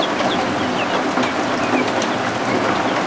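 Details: Newly hatched guinea fowl keets warming under a heat lamp indoors, giving short high peeps that slur downward, scattered through the clip over a steady hiss of rain outside.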